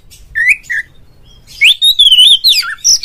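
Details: 'Ngeplong' calling song of an oriental magpie-robin, used to get others of its kind singing: two soft rising whistles, then a long loud flowing warble with a dropping slur near the end.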